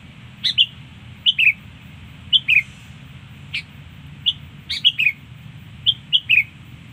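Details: Sooty-headed bulbul song used to lure birds, short falling whistled couplets and single sharp notes scattered across seven seconds, with a low continuous hum behind.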